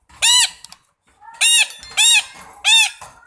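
Red-breasted parakeet giving four harsh, nasal squawks, each arched and rich in overtones, spaced about half a second to a second apart.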